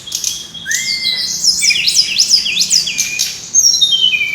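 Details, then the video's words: Brown-chested jungle flycatcher song, played as a lure to make caged birds sing: a rising whistle, then a rapid run of high, zigzagging chirps and slurred notes, ending in descending whistles. "suara ribut burung srdc /pancingan suara burung srdc biar gacorrrrr"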